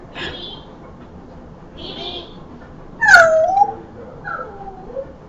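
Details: African grey parrot said to speak three languages, English, Spanish and Vietnamese: scattered voice-like squawks and rising and falling tonal utterances, with the loudest, harmonic-rich phrase about three seconds in, then softer sliding notes.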